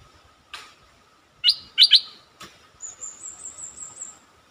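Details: Stripe-throated bulbul lure song: a few short, bright, slurred notes in a quick cluster, preceded by a single faint note and followed by a long, steady, high-pitched whine and a faint constant hum.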